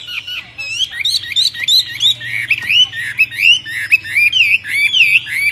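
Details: Myna song of looping whistled slurs, some bending up and others dropping, broken by short grating squawks and repeated about once a second.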